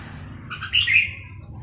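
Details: Red-whiskered bulbul, wild-caught near Bien Hoa and tamed for about two months, singing confidently while kept in a cage: a brief bright warbled phrase of two or three rich notes, quiet background.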